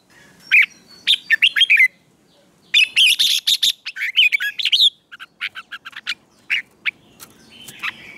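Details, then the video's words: A red-whiskered bulbul sings for contest training in the morning, delivering rapid clusters of sharp, warbled whistles, a dense excited burst around three to five seconds, then scattered single notes. "Luyện chào mào hót sáng hót hay"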